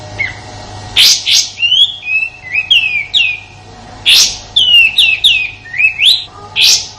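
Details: Sooty-headed bulbul in Indonesia, used as a master song for training white-rumped shamas and other contest songbirds: harsh broadband bursts between runs of clear, slurred whistled notes rising and falling, several notes per second, with a faint steady low hum.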